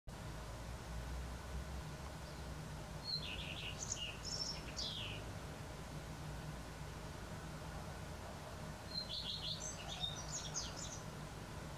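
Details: Common redstart singing on an April 2020 morning in western Poland: two short song phrases, each opening on a thin high note, then falling buzzy notes and a varied twittering end, about seven seconds apart, over steady low rumble.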